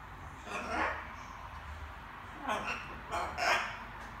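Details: A small pet macaw babbling in the evening, practising various words: a soft, speech-like rasping burst early on, then three short harsh syllables in quick succession near the end, over a quiet indoor background.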